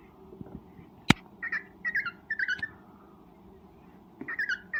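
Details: Cockatiel in breeding condition calling to mate: scattered bursts of short scratchy chirps in two groups, with a sharp click near the start and a steady indoor hum throughout.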